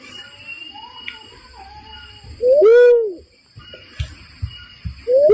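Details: Barred cuckoo-dove calling as bird-trapping lure: a single loud low coo with a quick rising lead-in and a swelling, falling main note, another starting at the end, over a steady hum and faint clicks.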